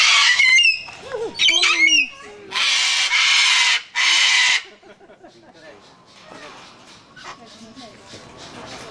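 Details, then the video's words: Noisy white sulphur-crested cockatoos in Australia, June 2008, give loud, harsh, broadband screeches in bursts over the first five seconds, then softer calls continue under a speaking voice. "these are the sulphur-crested cockatoos, the white ones, and as you can hear, they are very noisy, but they're actually very smart."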